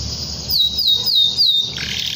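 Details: Canary calling out rivals to make other canaries sing, giving four quick high downslurred whistles about a quarter second apart, then a buzzy rolling note, over low background hum.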